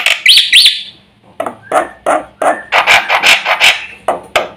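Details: Song of a Javan pied starling said to provoke other birds: two whistled looping notes, a fading pause, then a series of rough, grating chatter bursts, some carrying brief whistled tones.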